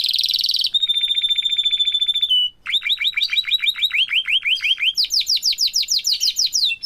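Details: Canaries, a family of parents with a chick, in a rapid trilled song: a buzzy high trill, then a steady tonal trill, then fast repeated downward-sweeping notes and a higher rolling series, loud and continuous.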